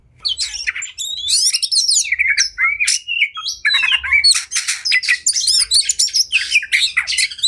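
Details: Kacer, the oriental magpie-robin, singing in fighting fury: an almost continuous torrent of harsh buzzy rattles, squeaky chirps and quick whistled slurs, loud and high-pitched throughout.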